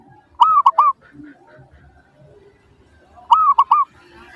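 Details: Zebra dove singing, used as a lure so other doves answer: a pair of phrases nearly three seconds apart, each a longer rising coo then two brief staccato coos, with soft low background sounds.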